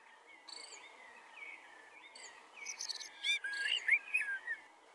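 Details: Common blackbird singing: mellow, fluty warbled phrases, rising and falling, separated by short pauses, ending in a busier twittering run, over a steady background hiss.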